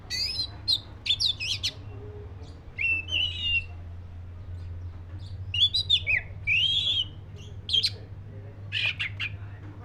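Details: Clusters of rich whistled phrases and sharp high notes from a black-breasted Oriental magpie-robin, separated by brief quiet gaps, against a continuous low hum.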